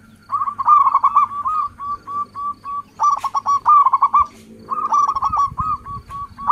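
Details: Local zebra dove singing in lively trilled phrases followed by runs of short, even coos. A faint low rumble sounds near the end. The song serves as a lure for other doves.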